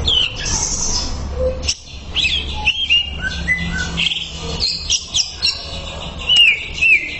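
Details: Greater green leafbird master song for training, a lively mix of whistled slurs, chattering bursts and clear rising-falling notes, with a faint low hum behind.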